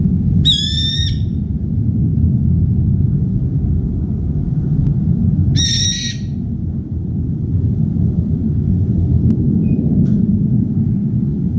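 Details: A brown-eared bulbul perched on an outside bar by a window feeding spot gives two loud, shrill, screechy calls about five seconds apart, over a steady low rumble; calls repeatedly seeking a companion, then feeds alone when none appears.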